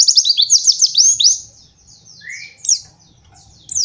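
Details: White-eye master song used to train young birds, opening with a quick run of high, sweeping chirps, then a pause, a lone rising whistle and a couple of sharp notes, soft low rumble beneath.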